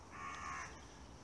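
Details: Carrion crow in urban woodland in Plymouth's Central Park on a frosty January day, heard in the background giving a single harsh, hoarse caw of about half a second over a quiet outdoor background.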